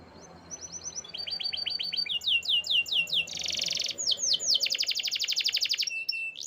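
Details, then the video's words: Canary singing: soft rising notes grow into loud falling slurred whistles, a buzzy rattle and a fast rolling trill, with a low background hum. "Natural Sound of Forest Birds Chirping || Canaries"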